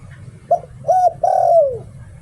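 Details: Decoy spotted dove giving its "liu tan" song: a brief coo, a second rounder coo, then a long falling coo, all low and mellow, with a steady low background rumble.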